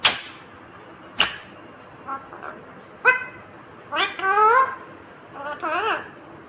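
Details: Talking green ringneck parrot with sharp clicks at first, then a strong harmonic note and two wavering, warbling speech-like phrases toward the end, against a quiet background.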